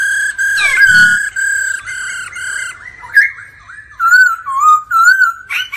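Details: Laughingthrush in daily singing practice with a female's 'ro ro' calls. Sustained flat whistles are followed by a series of rippling, looping whistled phrases.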